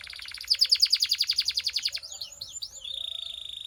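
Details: Canary singing a training song: a loud, rapid roll of pulsed notes, then a few swooping whistles and a thin, steady high trill to close.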